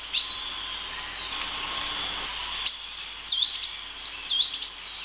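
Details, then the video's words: Sunbird song: a long high thin whistle, a pause, then a quick run of sharp, high swooping notes that dip and rise, repeated about twice a second against a steady faint hiss. "SUARA BURUNG KOLIBRI WULUNG"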